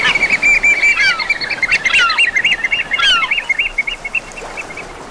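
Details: Eurasian oystercatchers on the coast of Brittany, France: rapid shrill piping kleep notes trilled together, several birds overlapping with some falling slurred calls, fading toward the end over steady surf noise.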